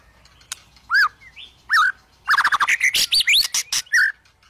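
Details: White-rumped shama song for prompting reluctant shamas to sing: two isolated arched whistles, then a dense, rapid stream of chattering notes, clicks and rising slurred whistles.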